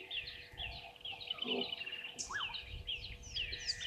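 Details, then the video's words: Red-billed buffalo weavers calling at Gowrie dam, Djuma Game Reserve, South Africa, at 10:00. Constant high chatter of sharp chirps, with a few louder upslurred squeaks and a brief lower note near the middle. "Red-billed Buffalo Weavers"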